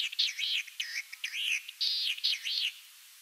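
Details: Latham's snipe in Kiritappu wetland, early morning, exchanging songs with a distant snipe: a rapid series of harsh, rasping arched notes, about five phrases in three seconds, high-pitched and even in pace, with quiet background.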